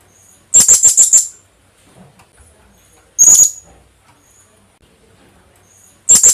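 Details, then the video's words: Philippine hanging parrot (kulasisi) call used as a lure: a rapid run of five very high, shrill notes, a short shrill burst near the middle, and another starting at the end, over a quiet background. "Kulasisi/Philippine hanging parrot sound.. 100% effective pantawag"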